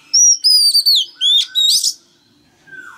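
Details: Singing male Oriental magpie-robin, caged, urging a young bird to join in: several loud, high, clear whistled phrases with rising and falling sweeps in quick succession, ending on a quiet descending note.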